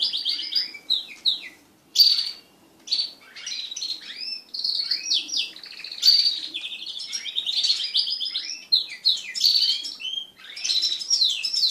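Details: Crested canaries, several pet birds mating together, singing a dense, continuous warble of high trills, rapid buzzy rolls and sharp chirps with brief pauses near two and three seconds.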